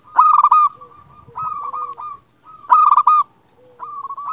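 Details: Local zebra dove singing vigorously to stir other zebra doves into song: two loud rattling, stuttered coo bursts, each trailed by softer wavering coos and a short low note.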